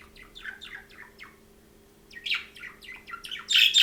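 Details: Budgerigars calling: a series of short, scratchy chirps and warbles, quieter at first, then busier and louder chattering toward the end, with a steady faint low hum underneath.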